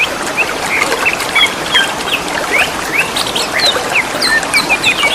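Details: Greater green leafbirds answering one another in the wild: sharp, clear whistled slurs and upslurred notes in loose succession, with a steady wash of running water behind.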